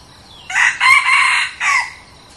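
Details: A newly brought red junglefowl decoy cock gives a full, hoarse crow of about one and a quarter seconds. It has a short rising start, a long buzzy middle and a separate, abruptly falling last syllable, heard against a quiet background.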